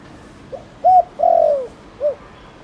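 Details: Spotted dove calling to prompt other doves: quiet introductory note, a loud arched coo, a long smoothly falling coo and a short rounded ending coo in a clean, quiet setting.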